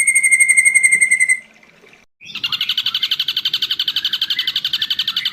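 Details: Ashy drongo song from a long-duration masteran recording for training songbirds. A steady, fast trill ends and goes quiet. Then a brighter, buzzy, rapidly pulsed trill starts and runs without a break.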